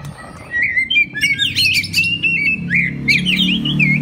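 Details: Oriental magpie-robin song played as a master recording for other magpie-robins to learn: a rich run of clear whistled notes, rising slurs and quick chirps, steady and loud, over a low background hum.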